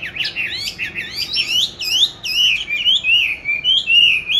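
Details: Caged oriental magpie-robin, kept since 29 July 2020 and recorded 22 March 2021, hung in an ideal spot to practise singing; continuous run of loud, varied whistled phrases with rising and falling slurred notes, scarcely pausing.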